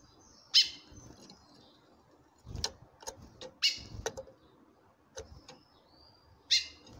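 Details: Calling female chestnut-bellied seed finch, meant to set a male singing in reply: loud clipped calls at irregular intervals, some doubled, mixed with knocking thuds and a thin whistle in the gaps.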